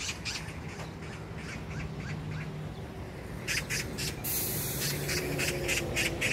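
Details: Harsh chattering of a magpie at a park in Incheon, South Korea, June 19, 2022. Faint scratchy notes at first, then a louder burst of rapid rattling chak calls in the second half, with low background rumble.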